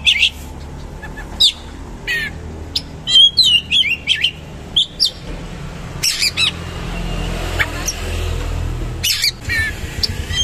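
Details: Oriental magpie-robin giving 'roll tembak' song, scattered sharp chips and twisting whistled phrases separated by pauses, with a low background rumble.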